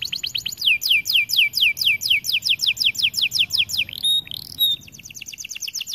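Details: Lively song from a white AF canary: a fast series of about twenty loud, steeply descending whistled sweeps, then a brief steady whistle and a thinner rapid trill to finish.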